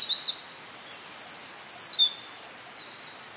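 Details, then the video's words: Winter wren singing in Hinohara Tokyo Citizens' Forest, Hinohara Village, Tokyo, Japan, recorded in the field on 5 June 2011. A continuous, very high, buzzy trill of fast repeated notes runs through the whole clip, with brief pitch shifts. "Winter Wren at Hinohara Village 野鳥のさえずりのフィールドレコーディング"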